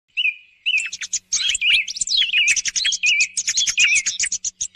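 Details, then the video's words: Thrush song used as a morning lure for hunting thrushes: a steady whistled note, then a dense run of sharp chirps and quick twittering phrases with short pauses between bursts. "صوت السمن لصيد الصباح"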